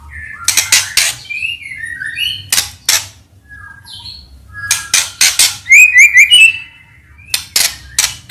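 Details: White-rumped shama morning song used as a lure to prompt silent shamas to sing. Short whistled notes and chirps mixed with loud harsh rasping bursts, with a quick falling three-note whistle near the middle.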